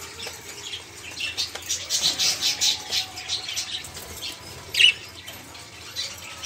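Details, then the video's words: Caged budgerigars chattering noisily, used as a prompt for songbirds that have stopped singing. Steady run of high warbled, scratchy notes with one sharp louder squeak near the end. "Suara Burung Parkit | Parkit Gacor | Pancingan Suara Burung Parkit agar cepat bunyi"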